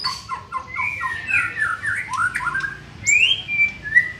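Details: Young white-rumped shama in training, singing a run of quick warbled whistles followed by a long rising then level clear whistle and a final slurred note, with soft background hum.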